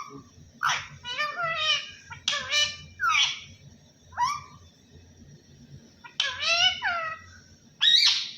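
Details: Parrot talking; the phrase is given as "Allah Hoo". Clusters of nasal, harmonic syllables, several sweeping downward, come in bursts with pauses between. A loud rising squeaky note closes the sequence, and a steady low hum continues throughout.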